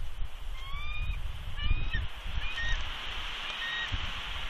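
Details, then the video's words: Female bald eagle at her Big Bear nest giving warning vocals at an intruding adult eagle while incubating eggs: thin, high, slightly rising whistled notes in short bursts, over a steady low rumble of wind. "Big Bear Eagles ~ INTRUDER ALERT!!"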